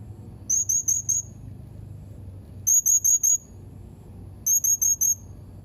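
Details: Blue-crowned hanging parrot, dated 31 March 2021: three groups of four quick shrill whistled chips, piercingly high and evenly spaced, each group about two seconds apart, with soft low background noise.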